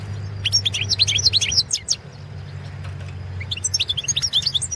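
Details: Competition recording of a Carduelis carduelis balcanica goldfinch, 2017 internet championship: rapid, liquid twittering of high chirps and trills, a brief lull, then another quick twittering run, with a faint low hum behind.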